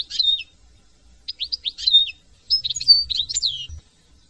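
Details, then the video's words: European goldfinch from France singing three bursts of high, liquid twittering, each phrase made of quick rising and falling notes, separated by short pauses, with a faint low rumble under the last burst. "chant de chardon"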